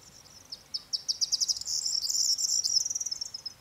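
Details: A corn bunting delivers its song: soft ticking notes accelerate into a dense, high, tinkling rattle that swells and then fades. It lasts about three seconds.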